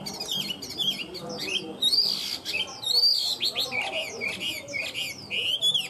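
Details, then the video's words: Chinese hwamei, a tame cage bird with a strong, steady song, pours out a dense stream of high whistles, slurred sweeps and quick trills. The phrases are varied and almost unbroken. "Chim họa mi thuần hót tốt"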